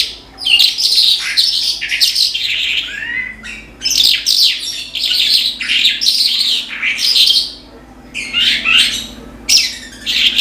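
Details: Energetic song of an Australasian bush lark (branjangan): long run of jumbled, scratchy high phrases with quick trills and buzzes, rising and falling, broken by brief pauses, a faint steady hum underneath.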